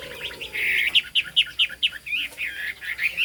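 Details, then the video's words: Singing Chinese hwamei in high 'cao cầu' style, bird described with fig-leaf tail and turmeric bill: a drawn-out whistle, then about six sharp, evenly repeated notes, ending in warbled phrases. "Họa mi hót cao cầu, đuôi lá vả, mỏ nghệ"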